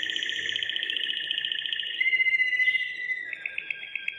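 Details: Waterslager canary, a breed kept for its song rather than looks, sung mostly with closed beak: continuous rolling trills and bubbling tours around the mid-high range, shifting at two seconds to a smoother gliding phrase, then a slower pulsed series of clicking notes.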